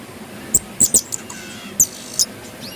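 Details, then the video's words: Pin-tailed parrotfinches, several birds shown singing, bathing and eating, give sharp, very high-pitched tsit-like chirps, some doubled, scattered across a few seconds against faint background hiss. "Pin-tailed Parrotfinches Singing"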